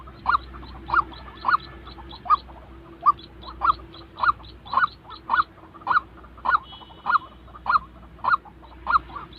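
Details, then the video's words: White-breasted waterhen calling, recorded for training decoy birds used in trapping: loud nasal 'kwak' notes repeated steadily, about one every half second, with a faint steady hum underneath. "tiếng chim quốc thật"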